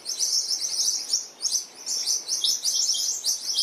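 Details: New Holland honeyeaters, a noisy group around a shower, disturbing a resting mother Western Grey kangaroo and her joey; dense high chirps and twittering phrases overlap almost continuously, with short pauses.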